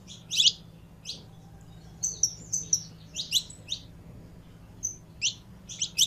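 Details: Saffron finch song with scattered bright chirps and short trilled clusters, spaced irregularly by gaps of under a second, against a soft background hum.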